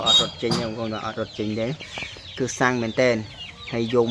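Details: Caged waterhen reared from a chick, used as a decoy, gives loud clear calls at its owner's hand. Low, full-toned clucking notes come in uneven groups, some sliding upward at their ends.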